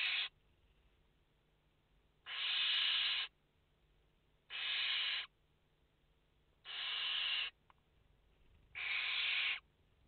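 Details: Barn owl nestlings, five in the nest, live camera on 29 August 2021, repeat a harsh, wheezing hiss roughly every two seconds, five bursts of about a second each.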